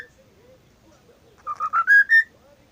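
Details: Cockatiel mimicking a WhatsApp tone, singing through the day, whistles five pure notes climbing in pitch over under a second, after a soft low murmur.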